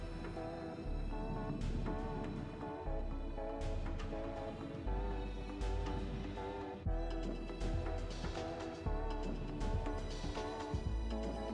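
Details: Background music with sustained tones and a steady low beat plays throughout, with no animal calls audible.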